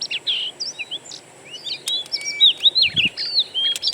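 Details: Oriental magpie-robin (kacer) in the wild, its song used as a lure for kept birds: scattered thin whistles early, then quick repeated down-slurred and up-slurred notes growing louder toward the end.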